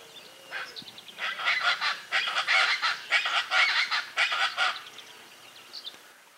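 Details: A Chaco chachalaca by a clear, rocky mountain stream west of Ascochinga, Córdoba, Argentina, in 2020, gives a loud, raucous series of harsh, rhythmic notes, about one burst a second for roughly four seconds, then quiet.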